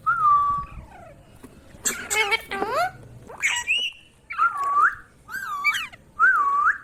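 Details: Talking ringneck parrot: whistled tones with upward and downward bends alternate with harsher speech-like bursts, delivered in short phrases with brief gaps.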